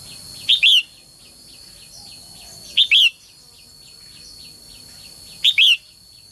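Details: Female bird calling for males to sing lively. A piercing two-part chirp, a short note then a drawn-out arched whistle, repeats three times roughly every two and a half seconds over soft continuous chirps from other birds and a high whine.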